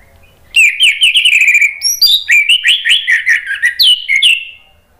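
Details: Orange-headed thrush in a continuous, lively 'gacor' song meant to provoke a reply. A rapid chattering stream of slurred whistled notes lasts over four seconds, jumping up and down in pitch without a break.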